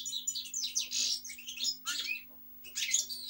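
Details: Goldfinch singing in energetic high twittering phrases with liquid, slurred notes and a few buzzy elements, a short pause before a final bright burst; a faint low hum throughout.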